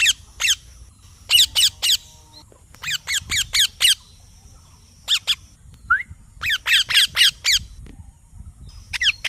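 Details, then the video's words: Parrot chirping in bursts of rapid, sharp, downward-sweeping high calls, usually three to six in quick succession, separated by short pauses, with one lone rising note near the middle. "Parrot Chirping Sounds / Voices"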